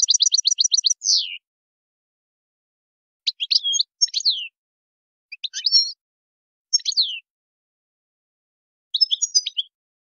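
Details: Goldfinch, recorded as a model song for teaching youngsters: a short rattling trill ending in a downward slur, then scattered brief twitters separated by silences.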